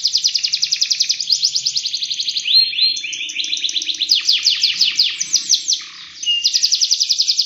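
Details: Domestic canary singing a long, continuous 'gacor' song used as a master recording to train other canaries: rapid trills of downward-sweeping notes, changing phrases with buzzy and rolling passages, then fast repeated trills again.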